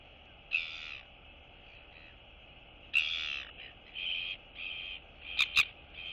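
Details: Royal albatross chicks greeting one another among neighbouring nests, 9 September 2022; isolated loud rasping calls with quieter nasal notes between, ending in a quick pair of sharp clicking bursts, all over a faint hum.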